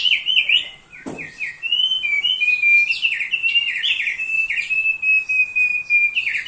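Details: Thick-billed heleia in full song as a training master: rapid sequences of stepped, downslurred chirps alternating with a long flat whistle, one sharp click early on.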